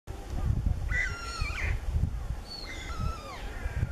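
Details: A common greenshank (Tringa nebularia) in the Elbe floodplain gives two clear, ringing call phrases about a second and a half apart, each a flat note dropping lower, over a steady low wind rumble.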